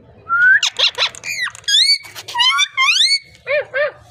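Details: A parrot runs through a varied, rapid sequence: a rising whistle, rough buzzy bursts, long gliding harmonic notes, and two short arched calls at the end.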